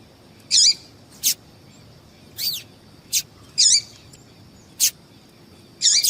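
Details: Calls of a female yellow-bellied seedeater used to excite males for song tournaments; a steady alternation of short high clicks and longer downslurred, wavering chirps, about seven notes in six seconds, clear against a quiet backdrop.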